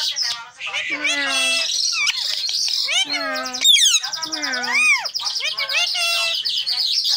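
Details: Tame green parrot chattering steadily, word-like phrases with low drawn vowels, a loud sweeping high whistle near four seconds, and rounded arched notes before trailing into quick babble.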